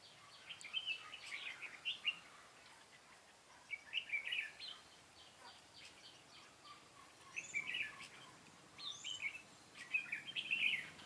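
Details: Red-whiskered bulbul decoy in a trapping session, singing fighting song: short bursts of bright warbled notes in several phrases, quiet gaps between, faint background hiss.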